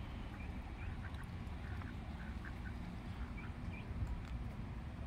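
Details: Small ducks being fed outdoors, giving scattered short nasal quacks and squeaky calls, some in quick pairs, over a steady low rumble of background noise.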